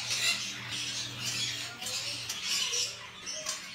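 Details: Baby parrots making harsh, raspy, hissing squawks in quick overlapping bursts, with a steady low hum behind them.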